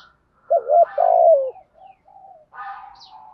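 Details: A spotted dove utters one wavering coo and then a long rolled falling note, in a 'thúc gù' cooing pattern meant to set young doves cooing. Quieter trailing notes and a rough, buzzy sound follow.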